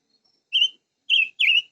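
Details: Chim ngũ sắc singing: three clear whistled notes, each slightly wavering and falling at the end, the first alone and the last two given close together, in a quiet setting.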